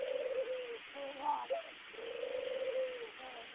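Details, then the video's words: Domestic dove cooing as it bobs its head, cell phone recording: a low, mellow, drawn-out coo, a short break with a quick higher inflection, then another long, steady coo. "My Dove Cooing and Bobbing its head"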